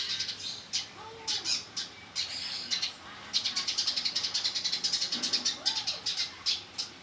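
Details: Fighting male Eurasian tree sparrow giving rapid, harsh high chirps in uneven bursts, building to a dense chattering run midway, then scattered single notes.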